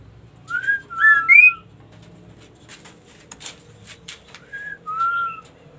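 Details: Ashy tailorbird singing vigorously: a short rising whistle, then a level whistle and two higher slurred notes close together. After a quiet gap with faint clicks, a few more soft whistled notes follow.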